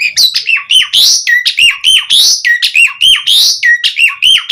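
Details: Javan pied starling song, energetic and full, used as a lure to get other starlings singing: loud, varied run of whistled, slurred and rising notes with harsh squawky bursts, delivered in rapid succession almost without pause.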